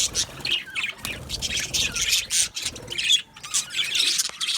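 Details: Budgerigars in an aviary colony, many birds chirping and warbling together in a continuous busy chatter of squawky and twittering notes.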